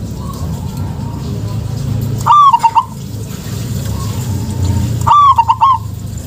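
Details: Two phrases from a local zebra dove, played to prompt lazy doves to call: each a loud opening coo and a rolling series of short notes, about three seconds apart, with fainter distant coos and low background hum.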